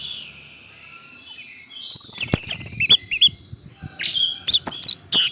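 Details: Orange-headed thrush singing in 'gacor teler' style as a lure for other thrushes: a quiet faint stretch, then bursts of rapid high chattering and whistled phrases with clicks and a few sharp notes.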